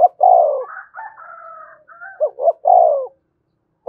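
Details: Spotted dove giving Đồng Nai-style calling and urging coos meant to lure wild doves; a low mellow coo opens, thin higher level tones overlap in the middle, then a quick two-note coo ends on a long burred note.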